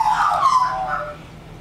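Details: An Australian magpie singing at Cobar Caravan Park, New South Wales, on 13 January 2019: a brief warbling, fluty phrase of rich, slightly harsh notes that waver and fall away over about a second and a half.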